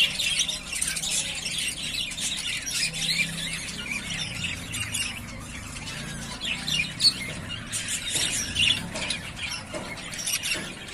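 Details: Three yellowface spangle budgerigar pairs, ready to breed, give scratchy squawks and chirps over a constant background of chatter. A few louder sharp notes stand out in the second half.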